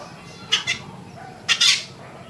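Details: Wild yellow-vented bulbul, locally called trucukan, giving two pairs of short, harsh, buzzy bursts about a second apart over a quiet background.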